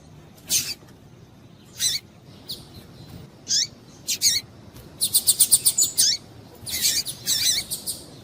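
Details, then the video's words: A female double-collared seedeater gives calls meant to excite males. Isolated high chips at first, then a fast run of about seven sharp ticking notes and a rougher buzzy burst near the end. "Piado de Fêmea de Papa capim Para Esquentar Papa capim"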